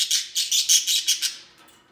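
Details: Three companionable pet budgerigars at play; a fast run of about eight sharp, buzzy high chirps in quick succession, fading into softer chatter at the end.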